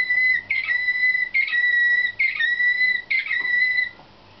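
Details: Slavujar nightingale-type canary song from birds in competition training, 2013: four long, pure whistled notes held steadily, each opening with a brief chirpy flourish, repeated about once a second before fading.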